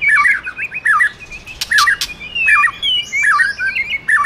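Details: Singing of a male white-rumped shama prompted by a female: repeated looping whistled figures, each dipping and rising, come about once a second. Sharp clicks and higher warbled notes are mixed in.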